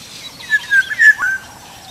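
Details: Black-naped oriole singing in the wild, heard as a short phrase of clear, fluty whistled notes, slightly wavering and gliding, with a brief rising slur near the end, over quiet background hiss.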